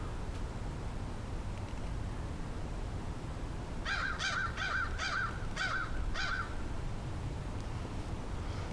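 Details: A crow cawing in the background while a person calls it over: a run of six harsh, evenly spaced caws about half a second apart, with steady outdoor background noise.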